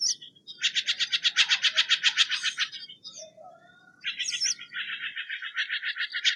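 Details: Steller's jay delivering a long, fast, rattling string of harsh 'shek' notes, about two seconds of steady repetition, a short pause with a soft low note, then a second rapid grating run.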